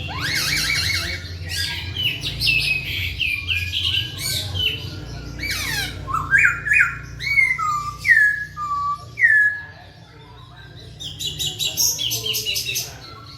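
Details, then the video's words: Lively masked laughingthrush song, the poksay Hongkong: harsh chattering bursts give way to a series of loud, falling whistled notes roughly every second, then more rapid scratchy chatter near the end. "KICAU BURUNG POKSAY HONGKONG GACOR"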